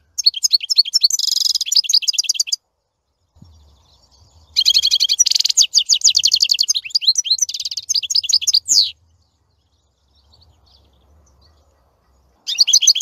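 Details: Singing European goldfinch delivering two long bursts of fast, liquid twittering with buzzy and tinkling high notes, separated by a few seconds of near silence with faint low rumble, another burst starting at the end.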